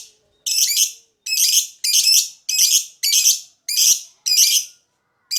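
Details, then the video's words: Lovebird in a lure recording making harsh, high buzzy chirps, each burst about half a second long and repeated roughly every 0.6 seconds in a steady series. "LOVEBIRD TARIAN DAN SUARA MASTER PANCINGAN"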